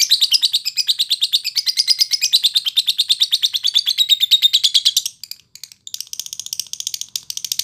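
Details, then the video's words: Lovebird chattering song meant as master training audio for fighter-class birds, with fast, regular harsh chirps three per second, slowly falling in pitch over five seconds, then a short gap and scratchier twittering. "Masteran durasi lovebird timi cepat nyaut tarung buat burung kelas fighter"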